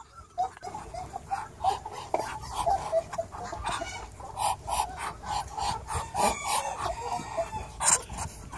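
A Japanese Bantam rooster gives a run of short, hoarse, mid-pitched crowing notes and clucks, repeated roughly every half second with little pause.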